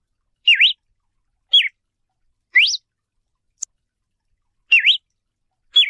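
A Yellow-billed Cardinal sings short, bright whistled phrases, some dipping then rising, others slurring down, about one a second against a quiet background.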